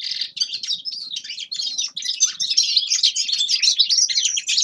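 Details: Grey-crowned goldfinch delivering an unbroken, rapid stream of buzzy trills and chattering twitters that grows slightly louder toward the end.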